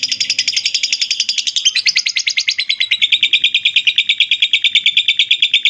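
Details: Continuous ngekek chatter from a lovebird, recorded as training material for other birds: piercing, rasping pulses repeated about three times a second, the tone dropping slightly after the first two seconds, then steady.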